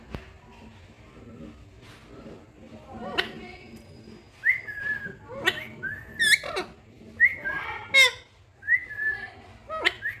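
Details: Green pet parrot giving natural calls: sharp clicking squawks and short whistled, bending notes, several in quick irregular bursts during the second half, over a faint indoor background hum.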